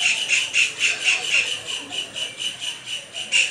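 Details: A kingfisher, calling while displaying with a dance, gives shrill, harsh high notes about four times a second in a steady, insistent series, with no other sounds standing out.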